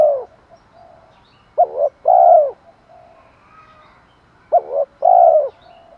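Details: Spotted dove calling in the Thổ voice, provoking style used to attract wild birds: an opening coo tail, then two phrases of a double short note and long low coo, three seconds apart.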